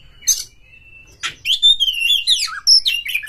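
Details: White-rumped shama kept in a cage, provoked against a rival with tail spread: a faint thin whistle, a harsh burst, then a continuous run of varied whistled and buzzy notes.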